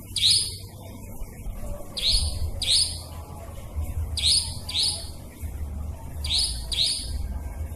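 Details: Nightjar lure recording for trapping: sharp, high, upswept chirps, mostly in quick pairs, repeated through the stretch over a low rumbling background hum.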